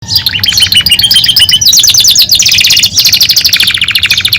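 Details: Belgian canary song: a loud, continuous high-pitched warble made of rapid repeated trills. Buzzy rattling runs shift into fast rising and falling rolls, with almost no pauses.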